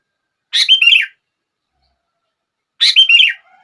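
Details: Two short, rich chirped phrases from a sooty-headed bulbul, about two seconds apart, in a recording said to get other bulbuls singing.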